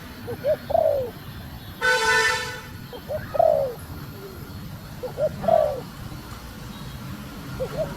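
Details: Female spotted dove cooing to stimulate the male: clipped low notes followed by a longer coo that falls away, repeated in three phrases, with a loud horn-like honk in the background between the first two.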